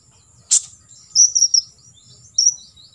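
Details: Olive-backed sunbird 'full tembakan isian' recording for other birds to imitate: one sharp high tick, then a quick cluster of three thin trilled notes and a final high trill.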